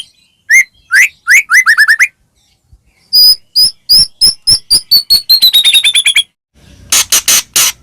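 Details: White-rumped shama song used as a lure to set other shamas singing: a few rising whistled notes, then a long, quickening series of high, thin repeated notes, ending in several harsh scratchy bursts.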